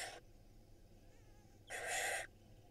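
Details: Israeli barn owl chicks from a May 2022 brood of five eggs, fed by their mother. A short hiss fades at the start, then a fuller, harsh rasping shriek lasts about half a second.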